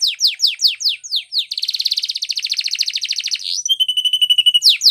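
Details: Canary song for training, Spanish Timbrado style: descending sweeping chirps, a long fast trembling trill, then a steady level whistle and renewed sweeping notes.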